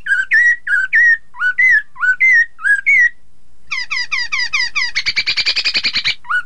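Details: Chinese hwamei song for stimulating rival birds to answer: a run of about seven loud upslurred whistled notes, a pause, then a quick series of descending chips merging into a harsh rapid rattle-like trill.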